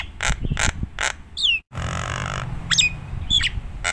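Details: Nias hill myna vocalising as a tutor recording for other mynas: loud clicking notes, a falling whistle, a brief hiss and thin high whistles, with low rumbling noise.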